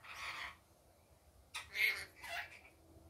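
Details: Daytime rainbow lorikeet calls: one rasping screech, then after a pause two quick harsh, buzzy squawks in a row.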